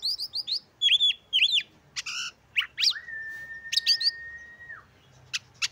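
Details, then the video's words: Oriental magpie-robin, a kept songbird, singing to provoke rival magpie-robins and stir their breeding urge: loud varied phrases of paired arched whistles, sharp buzzy notes, then one long flat whistle held nearly two seconds, with a faint low hum. "Kacer Gacor Pancing Emosi dan Dongkrak Birahi Kacer Lain Agar Lekas Gacor"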